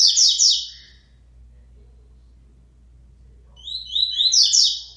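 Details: A locally born Double-collared seedeater, coming out of moult and returning to song, sings two quick bursts of high, bright twittering notes, each under a second long and about three seconds apart, with a faint low hum underneath.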